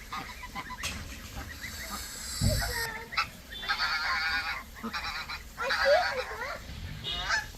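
Chinese geese give loud, harsh, nasal honks in bursts of about a second, several birds overlapping, with low rumbling noise underneath.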